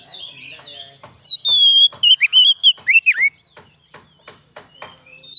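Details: Oriental magpie-robin song used as a lure for wild kacer in the forest and to raise a kacer's excitement. Rapid bursts of bright, warbled whistles, some sliding and looping, are broken by clicking notes and end on a high whistle.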